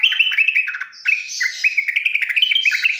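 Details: Song of a yellow-vented bulbul played to train young bulbuls to sing: quick chirping, gurgling notes with sharp rises and falls, a brief gap after the first second, then continuous busy warbling.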